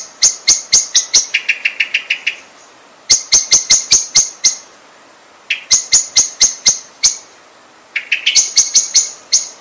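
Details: Common blackbird repeating bright, clipped notes in bursts, twice breaking into a lower, rapid buzzy trill before resuming the sharp clicks.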